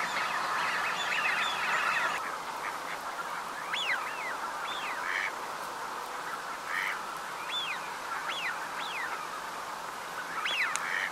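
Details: Eurasian wigeon flock, Uitkerkse Polder, Belgium, January 2017. Around ten sharp, rising-falling whistles repeat irregularly over a thick background hum of calling birds.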